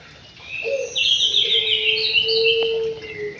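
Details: White-rumped shama singing in an aviary, a loud, dense run of high, varied whistles and chattering notes over a long, steady low whistle held for about two seconds, with a sharp click in the middle.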